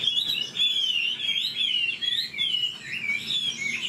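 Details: Caged Chinese hwamei, an old bird taken from the wild, pouring out clear, rich, wavering whistles in a continuous rolling phrase with short breaths between sections.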